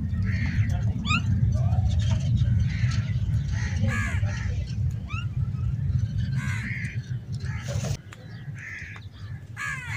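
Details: Several crows, possibly fighting over food, call repeatedly with rough cawing notes that overlap in quick irregular bursts, over constant low-pitched background noise that drops away near the end.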